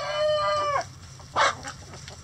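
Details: Chickens in a coop: the drawn-out, harmonic tail of a rooster's crow fades out within the first second, followed by a short, sharp cluck, over a steady low hum.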